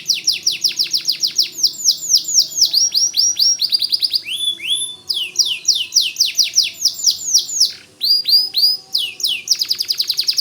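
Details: A white canary pours out unbroken gacor song for tutoring white-rumped shamas. Rapid curved whistled notes repeat in long rolling runs, with short buzzy trills and a few brief pauses between phrases.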